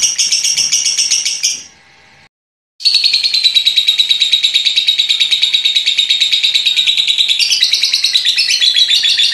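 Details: Pet lovebird giving a long ngekek chatter lasting nearly a minute: dense, rapid, buzzy high chirps repeated about three times a second, with a brief silent gap after the opening.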